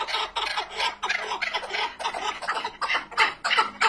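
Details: Hoarse clucking phrases of a chukar partridge, bursts coming in irregular clusters with brief gaps, each note harsh and wide-toned.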